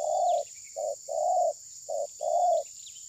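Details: Phone recording of a spotted dove acting as a trapping decoy at a tabir screen. Loud, rounded coos alternate long and short notes, long-short-long-short-long, over about three seconds, against a quiet insect background.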